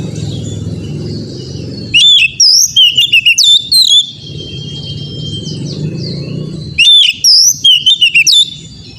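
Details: Oriental magpie-robin song used as training for an untrained young bird: two bursts of quick whistled and slurred notes, one ending in a long drawn-out whistle, over steady low rumbling background noise.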